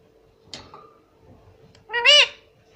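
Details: Indoors, a talking parrot gives a faint brief sound, then one loud arching, voice-like squawk over a low steady hum.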